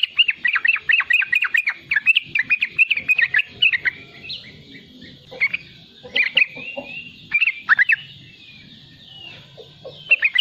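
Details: Riwikan chatter from a young, persistently singing sooty-headed bulbul kept to tutor other young bulbuls. Quick runs of sharp notes open the clip, then turn into scattered short phrases separated by quieter gaps.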